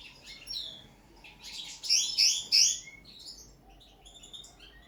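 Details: Common linnet during first table-singing training, starting and stopping. Soft scattered high notes lead into a short loud burst of quick twittering chirps and trills, then sparse faint notes again.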